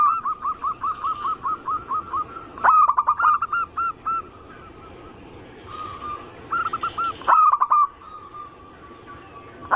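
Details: Zebra dove song in a lure recording: a steady string of quick coos, then loud stuttering bursts alternating with softer sustained cooing tones.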